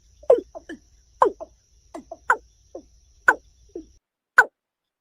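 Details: Kora, the watercock, giving irregular low calls. Each louder note is followed by a softer echo-like note, with the notes spaced roughly a second apart and fading out toward the end. The background is otherwise still.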